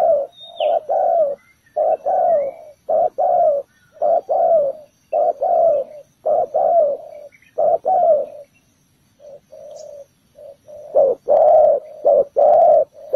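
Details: Spotted dove decoy on the ground luring doves to a trap, giving long series of mellow, low coos in repeated short-long phrases, a brief soft break near the end, then more rapid coos.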